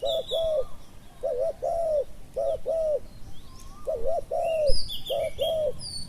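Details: Spotted dove calling at a decoy-luring session for wild doves: soft mellow coos in paired phrases, a quick doubled note then a drawn-out note, repeated four times, with thin high chirps of other birds behind.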